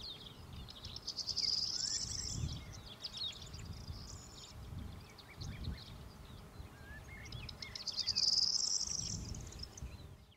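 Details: A corn bunting (Emberiza c. calandra) at Lake Kerkini National Park, Greece, in April 2024 gives two dry, jangling, high-pitched song bursts like shaken keys, about six seconds apart, over steady wind rumble and faint chirps.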